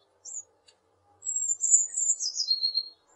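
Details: Eurasian blue tit giving a short high note and a faint tick, then a long, very high thin phrase that slides downward into a fast, fluttering trill ending on a lower note, with a quiet background.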